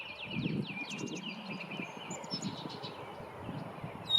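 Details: A male Baltimore Oriole, seen on a morning at a local park patch, gives a quick run of clear, down-slurred whistled notes, then fainter chirps, over a low rumble and soft music.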